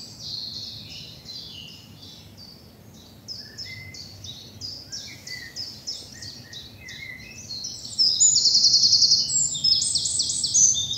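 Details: Birds singing early on a spring morning in English bluebell woods: a stream of quick, repeated high chirps and scattered lower notes, then a loud, fast, close trill near the end.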